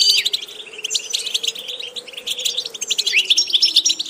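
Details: Training song of a European goldfinch: lively twittering phrases mixed with rising slurred notes and brief whistles near the end, steady and continuous, faint low hum behind.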